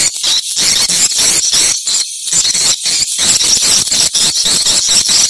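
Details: Swiftlet chatter for checking a site: continuous shrill, buzzy high twitters with irregular short silences between bursts.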